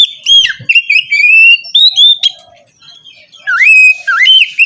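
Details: Morning therapy song of a white-rumped shama, aimed at prompting a reluctant bird to sing; steady sweet whistles and drawn-out upslurred notes, ending with two loud swooping phrases.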